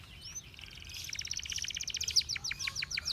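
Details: Canary singing a training song, slightly distant over a steady background hiss: a long run of fast, evenly repeated chirping notes that speeds into a ringing trill.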